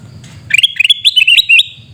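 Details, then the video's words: Sooty-headed bulbul giving a rapid burst of sharp, chattering notes, a series of quick upward-flicking chirps packed into about a second after a faint lead-in. "Suara Teriakan Burung Kutilang Emas"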